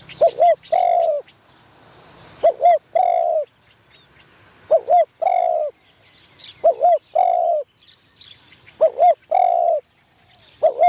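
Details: Spotted dove used as a caged decoy for trapping, on its first training session in a trapping enclosure. It gives repeated phrases roughly every two seconds: two quick rising notes, then a longer, level, buzzy coo. Faint chirps from other birds sound in the background.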